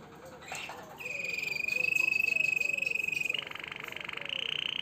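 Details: A caged-style Harz Roller canary holds a long, level, finely pulsed trill for over two seconds, then shifts to a slightly higher rolling tour that continues to the end.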